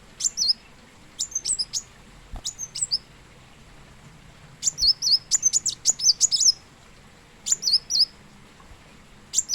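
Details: High-pitched, thin chirping of a plain sunbird (kolibri wulung, kolibri muncang): bursts of sharp, twisting notes separated by brief pauses, with a denser chattering run in the middle.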